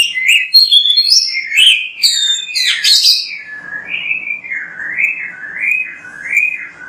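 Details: Oriental magpie-robin, recorded in energetic song as a lure to get other magpie-robins singing. Rapid, varied chirps and high sharp notes open the clip, then give way to a series of looping, wavering whistles.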